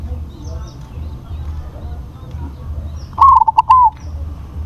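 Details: Zebra dove, a crossbred bird with a large voice, delivers one rolling cooing phrase late in the clip, several quick stuttered beats then a held, falling last note, after a quiet low-noise lead-in.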